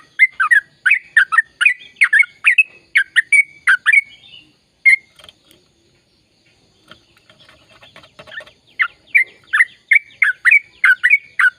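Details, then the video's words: Sooty-headed bulbul, a lively singer with long continuous phrases, played to stimulate silent birds to sing: rapid runs of short bubbly notes around the upper-middle range, a brief pause, then a faint rattling chatter before the bubbly phrases resume. "Suara Burung Trucukan Gacor Ropel Panjang Perangsang trucukan bisu biar aktif bunyi"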